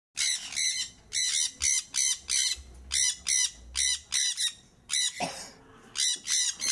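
Sun conures give harsh, grating screeches in quick bursts, about two or three a second, with a short pause and a single low knock near the end.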